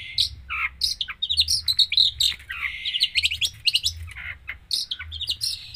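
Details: Long-tailed shrike singing vigorously in full isian style, a varied song filled with learned phrases: rapid chirps, buzzy bursts and sliding whistled notes tumbling together without pause over a low steady hum.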